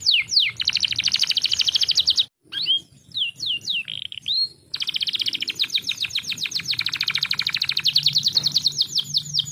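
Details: Canary song as a lure for birds slow to sing: long, fast rolling trills of tightly repeated notes, broken by a short gap and a few separate swooping whistles.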